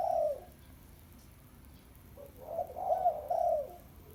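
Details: Low, mellow cooing of a spotted dove, a single coo ending one phrase, a quiet gap, then a new phrase of soft rising and falling coos run together.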